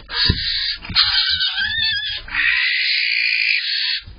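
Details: Barn owls in a nest box at dawn on April 8th, as the male delivers prey and the female guards it; a loud, harsh, hissing screech with a rougher start, then a long sustained rasp lasting about two seconds.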